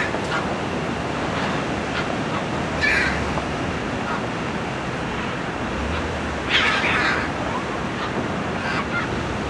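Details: Two harsh, raspy squawks from wild macaws, seen in flocks in flight and in very tall trees by the sea in tropical Costa Rica, about four seconds apart, rise over steady roaring surf.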